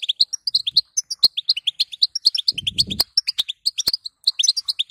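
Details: A female European goldfinch calls steadily in a batbata used to encourage a male to sing. Evenly paced high tinkling chirps follow one another closely, with one short low rustle midway.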